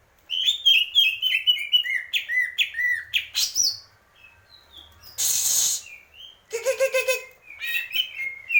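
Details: Greater green leafbird singing fast, jumbled whistles and chips, interrupted by a brief harsh noise burst and a buzzy rattle before the whistled phrases resume.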